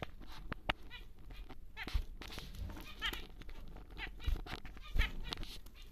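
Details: Large normal grey male zebra finch gives nasal, buzzy, toy-trumpet notes in short bursts every second or two, over clicks and a low background rumble.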